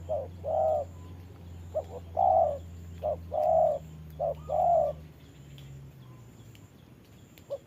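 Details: Caged spotted dove decoy confronting a wild dove during rain in a trapping setup, giving three short-then-long coo pairs about a second apart before falling quiet, with a low droning hum beneath.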